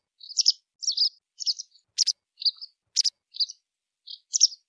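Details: Song of a white wagtail, delivered as separate high chirps spaced about half a second apart, some notes sharp and ticking, others slurred; quiet surroundings.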